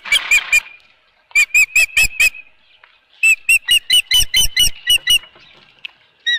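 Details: Osprey at its nest at Dunrovin Ranch with a fish, 24 April 2018, 4:19 PM: a burst of loud, sharp whistled chirps, then two rapid runs of about five to ten piercing notes repeated several times a second.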